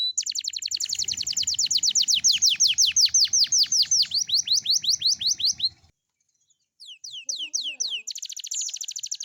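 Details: Young canary in morning song, used to encourage young canaries to sing along. A long fast string of sharply descending whistled notes, a short silence, then more falling swoops ending in a trill.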